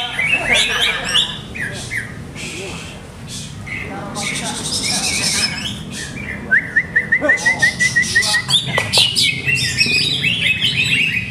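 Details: Caged greater green leafbird under setup testing delivers mixed chattering phrases, then a clear repeated whistle followed by a rapid staccato series of sharp notes.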